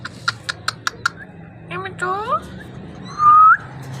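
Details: Parrot vocalizing indoors: a run of sharp clicks, then rising harmonic squawks and a clear, pure whistle that swells upward near the end.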